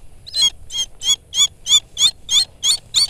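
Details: Rufous-bellied eagle kept for falconry, giving a steady series of nine high, harsh, harmonic calls at about three per second, each note sharply cut and evenly spaced, over faint low background rumble.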